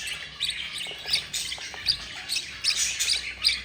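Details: Budgie chicks, four, fed by their yellow mother, give short, rough, buzzy squawks with thin, sharp chirps mixed in, spaced irregularly, a little over one a second.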